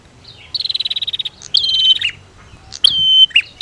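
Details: Prinia pair, female against male, meant to rouse quiet birds to song. A rapid, even run of about a dozen ticking pulses, then high thin whistled phrases with sharp falling strokes, repeated twice.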